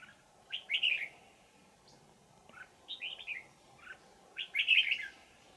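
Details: Bell-voiced old wild red-whiskered bulbul caught in a decoy trap in Vietnam, 20 December 2018; three separate bursts of rich slurred, warbling notes about two seconds apart, the last the loudest.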